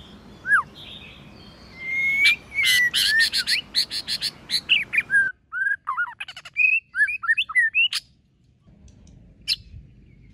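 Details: White-rumped shama in competition singing with many voices: looping whistles, then a dense run of harsh clicks and rattles mixed with clear whistled notes, followed by a cleaner series of short upslurred and downslurred whistles and a final sharp click.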